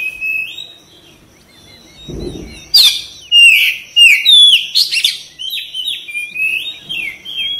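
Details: Caged white-rumped shama singing: soft rising whistles, a brief low rustle, then loud sharp whistled phrases and rapid slurred notes in quick succession, with a faint high steady tone in the background.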